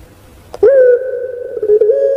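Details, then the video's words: A kept Barbary dove (puter pelung, Streptopelia risoria) gives one long, low, steady coo after a soft click; the coo lasts over a second and wavers slightly near the end. "PUTER PELUNG BERKWALITAS ( Suara Merdu Mengalun )"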